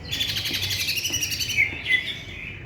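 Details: Greater green leafbird song, a fast run of rich chattering, warbled notes followed by two sharp clear whistles near the end, with faint low background noise.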